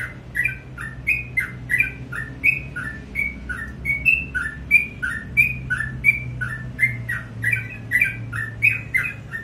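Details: In the morning a sooty-headed bulbul sings on and on, repeating short bright falling note pairs in a steady rhythm, with a low droning background noise underneath.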